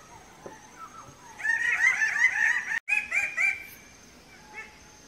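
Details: Red bird-of-paradise at a dancing tree, where males display to females. A loud burst of harsh, rapid, repeated calls runs for about two seconds with a brief break, then fades to a few softer notes over a faint steady background tone.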